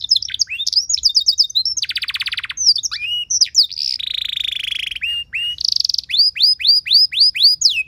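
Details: Canary training song for prompting other canaries: quick chirped phrases, a harsh buzzy rattle, a long grating buzz, a pure whistle, and a closing string of rising-then-falling sweeping notes.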